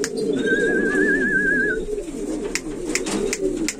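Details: Buchón valenciano antiguo pigeons, a breed selected for flight and seduction: a continuous low murmuring of overlapping coos, with a wavering whistled tone and scattered sharp clicks.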